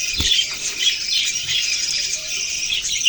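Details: Short burst of budgerigar chatter from November 6, 2023: many high, scratchy chirps overlap in a steady, unbroken stream, ending in a brighter squeaky note.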